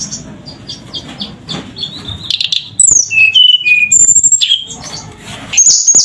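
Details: Tledekan song: quiet chatter gives way to loud, pure whistled notes, held or gently falling, sung in short bursts with brief pauses, over a low background hum.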